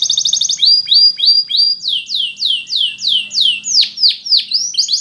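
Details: Spanish Timbrado canary singing for training, opening with a fast rattling trill, then evenly spaced slurred notes stepping upward and a run of loud falling whistled sweeps repeated about three per second.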